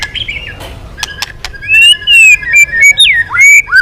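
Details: After faint chatter and clicks, an aggressive white-rumped shama bursts into loud, pure whistled phrases, some rising and some sharply falling, in quick succession.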